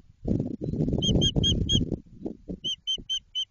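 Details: White-tailed eagle building a nest in Jedwabno, Poland, at the season's opening: a rapid string of sharp, high yelps, about four a second, first over loud scraping of sticks, then alone with brief knocks.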